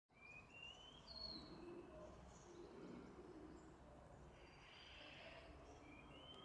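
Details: A wintering female-type Wallcreeper at Nantes Cathedral, 16 January 2016, gives a few thin, high, rising whistled notes, widely spaced, over a steady rumble of city traffic.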